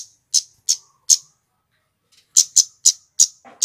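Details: Lure recording of a male scarlet-headed flowerpecker: three piercing high 'tsit' notes, a one-second pause, then five more in quick succession, with a faint low murmur at the end.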